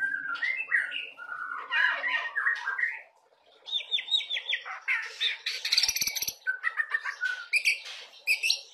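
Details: White-rumped shama in full, busy song, played to coax juvenile birds into singing: fast, varied chattering and whistled notes, with brief quiet near the middle and clicking sounds later.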